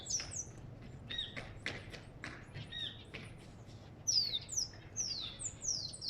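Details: African goldfinch singing: a few scattered high notes, then a run of bright, clear, downward-slurred whistles repeated about every half second near the end; faint low background hum.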